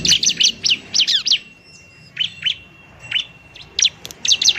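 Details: Bar-winged prinia in fighting song for luring and prompting lazy birds: bursts of rapid high chips, a quiet spell with a thin steady tone, then more scattered sharp notes.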